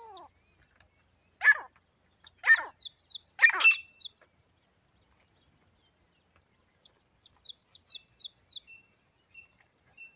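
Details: Grey partridge, a tame female used as a decoy to lure a wild partridge during hunting: three loud harsh, broadband calls in quick succession, then silence, with thin high chirps from another bird twice.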